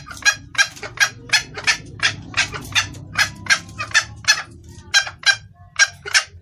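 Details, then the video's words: Female red junglefowl calling the male, a clear call used to lure males; harsh, broadband clucking notes repeated roughly three times a second in an uneven run, over a low steady hum. "Suara ayam hutan betina gacor pangil pejantan"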